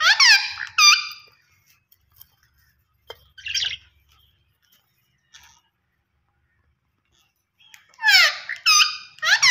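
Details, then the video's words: Australian parrot giving loud, harsh squawks rich in overtones: a quick double burst at the start, a brief rasping note midway, then a tight cluster of three rapid squawks at the end, with near silence between. "Australian Parrot Voice Sounds"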